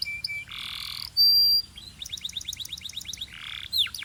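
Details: Singing Belgian canary, used to warm up canaries and arouse females: brief tones, a harsh buzzy burst, a loud pure sustained whistle, then a quick trill of repeated notes ending in a buzz and sweep.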